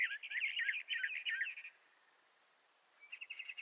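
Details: Western North American Bendire's thrasher giving a quick burst of warbled notes, then a second of quiet, followed by a short run of repeated chips.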